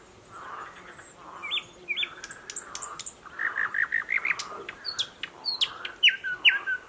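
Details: Dense thicket by a stream in Belarus, May 2021: a newly arrived thrush nightingale sings paired rising whistles, a burst of rapid warbled notes and sharp clicks, over a soft background of croaking pond frogs.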